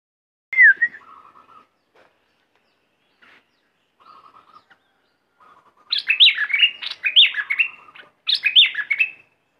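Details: Red-whiskered bulbul decoy bird, shown in aggressive and wild mate-calling song styles: a loud slurred whistle, soft chatter, then three bright rapid bursts of warbled, rising-and-falling whistled notes near the end.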